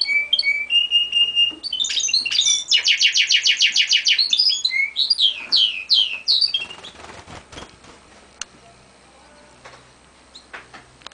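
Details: A European goldfinch × canary hybrid sings a bright, high medley of whistles, a fast rattling trill and swooping twitters for about seven seconds, then falls quiet apart from faint clicks.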